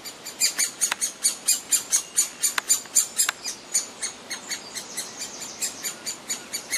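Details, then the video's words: Great spotted woodpecker adult feeding a noisy, demanding chick in the grounds of Rowden's House; the chick begs with a shrill, rasping chatter of high calls, about three a second, without pause. "Great Spotted Woodpecker feeding a noisy demanding chick"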